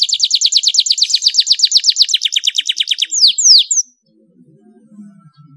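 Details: Canary song played to encourage other canaries to sing: a steady rapid trill of repeated notes, roughly three per second, dropping slightly in pitch, closed by two loud falling whistles, then faint low noise.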